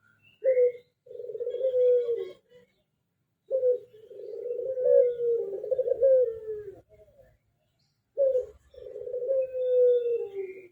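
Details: Ringneck dove singing: three low, rolling coo phrases, each starting with a short clipped note and then a long purring coo that slides slightly downward, separated by pauses of about a second, with faint chirps in the background.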